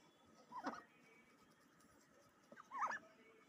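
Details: Two short, sweet, wavering calls from a pet duck just out of its bath, the second louder and slightly rising, with faint household hum between them.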